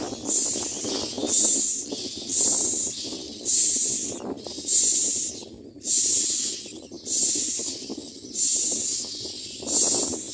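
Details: Baby common mynas begging loudly during feeding, giving a steady run of about eight rasping, hiss-like screams, one every 1.2 seconds, over low scuffling and rustling.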